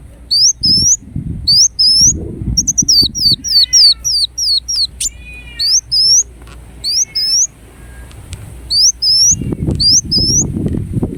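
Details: Ruby-cheeked sunbird from Indonesia in full song: high, thin upslurred whistles delivered in quick pairs and short bursts, with a few lower buzzy notes in the middle, over low rustling and thumping noise.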